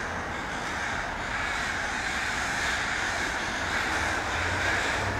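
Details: A murder of crows gathered in a tree in Vancouver, British Columbia, Canada, recorded on an iPhone 5S; a dense, continuous chorus of overlapping harsh caws with a steady low traffic hum beneath.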